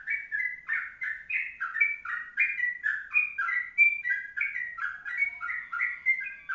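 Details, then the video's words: A long 'kongslet panjang' song from a sooty-headed bulbul used as tutor material: chattering, rolling whistles jump between higher and lower notes in uneven bursts over a quiet background. "Masteran Trucuk Kongslet Panjang"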